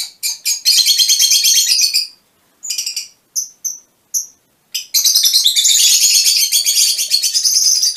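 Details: Colour-mutation Fischer's lovebirds chatter in long, harsh, high-pitched bursts, broken by a pause with a few separate short chirps before the busy twittering resumes.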